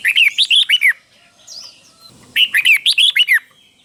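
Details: Red-whiskered bulbul teacher bird, its doubled song offered for caged birds to copy: two crisp bursts of about six liquid, looping notes each, separated by a quiet gap with faint chirps.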